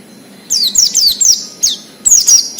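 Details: Wild Oriental white-eye singing in the wild, used as a lure to draw song from untrained captive birds: quick bursts of high, thin downslurred whistles, three short phrases separated by brief pauses, over a quiet background.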